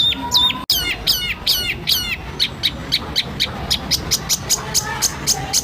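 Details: White-rumped shama training recording of full rough 'tembakan' bursts, made to provoke caged birds into singing: loud, sharp, down-slurred chirps repeated rapidly, then a run of short clipped notes about twice a second, with faint background hiss.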